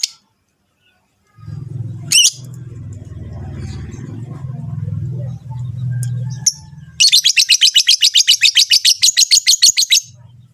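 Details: Mating calls of Rosy-faced and Fischer's lovebirds, used to encourage the female to breed: a low steady hum and one squeaky note, then a fast, even run of high buzzy chirps lasting about three seconds.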